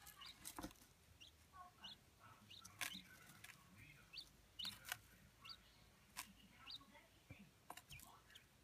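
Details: Adult male Chinese blue-breasted quail of the black-and-white Darth Vader variety, kept in a sandbox indoors, giving soft contented calls: short faint chirps repeated irregularly, mixed with clicks and a quiet television in the background.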